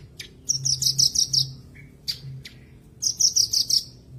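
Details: Bush lark singing to coax silent caged birds back into song: two clusters of six quick, shrill, metallic notes separated by single sharp chips, with a low steady hum beneath.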